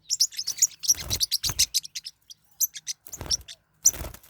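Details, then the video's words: Squabbling Forpus parrotlets kept as pets: dense, rapid strings of piercing high chirps with harsh, noisy bursts, brief pauses, then a final sharp flurry. "My birds are fighting What should I do? | forpus parrot bird"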